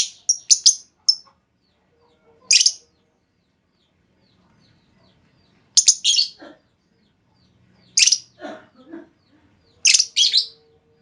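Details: Female lovebird calling to draw a long trilling response: clipped, piercing chirps in small clusters separated by silent gaps of about two seconds, each cluster a few harsh, high notes.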